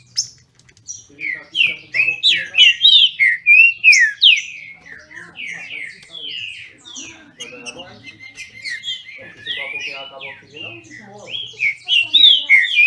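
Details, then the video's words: Caged Brazilian thrush (trinca-ferro) from a Brazilian breeder singing in a contest: long sequence of strong whistled, slurred notes, about three each second, pausing midway, then resuming with bright loud phrases. "Trinca ferro disputando!!!"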